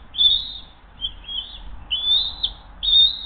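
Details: Bald eagles at the Hays nest on a camera, 20 June 2023 at 7:43 am, as the mother delivers the day's second fish and feeds her eaglet: four thin, high whistled chirps, each slightly rising, over a low background rumble.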